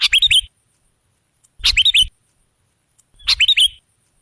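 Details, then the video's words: Sooty-headed bulbul sound used to lure other birds: three short, bubbly, descending phrases, each under half a second, spaced nearly two seconds apart with silence between. "Suara burung KUTILANG jebakan pemikat"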